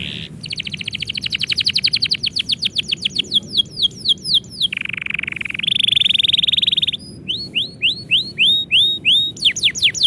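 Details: Canary song given when the owner is about to leave: a rapid buzzy trill sliding into downward whistles, a lower rattle, then a bright run of repeated rising-falling notes over faint hum.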